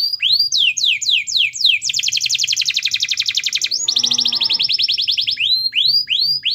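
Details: Strong-voiced 'gacor' canary, played as a singing prompt: rising sweeps, a long rapid rolling trill, a second buzzy trill accompanied by a lower harmonic tone, then further upward-curving notes.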